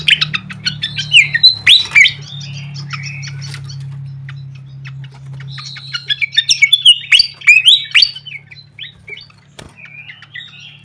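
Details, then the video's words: Fantail lure call for tutoring birds: two loud bursts of quick, sweeping whistled and chirped notes separated by a quieter stretch, with sharp clicks and a constant low hum underneath. "suara pikat khas srikatan kipas"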